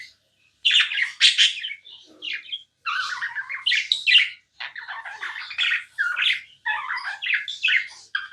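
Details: Budgerigar kept as a pet chirping nonstop, bursts of harsh squawky chatter and scratchy warbles broken by short silences, the phrases tumbling quickly one after another.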